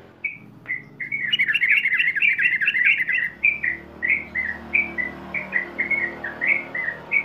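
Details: Sooty-headed bulbul in long-duration ropel song. A few single whistles lead into a dense, bubbly burst of overlapping notes, then a steady run of clipped, alternating high and low whistled notes.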